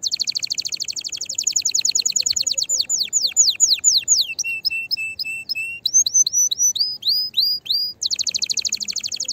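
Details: Strong canary singing aimed at stimulating other canaries and exciting the female to mate: a fast repeated high trill, slower descending slurs, low held notes, bright upswept chirps, then another rapid buzzy trill.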